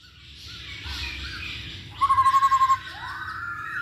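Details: Masked laughingthrush song played as a lure to prompt other birds to sing: a steady buzzy trill of about eight quick pulses on one pitch, preceded and followed by faint hissy background noise.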